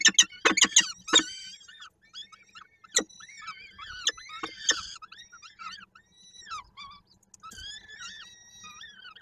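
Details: Peregrine falcons at a nest in Koszalin, Poland, on 13 May 2022; an adult arrives with prey and the female feeds the young. Sharp knocks open the clip, then thin, arched, whining calls rise and fall in scattered bursts.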